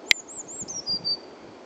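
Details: A Eurasian blue tit sings at Uppsala Botanic Garden: a brief, very high, thin song of wavering piping notes that drop into a short, lower silvery trill, after a single sharp click.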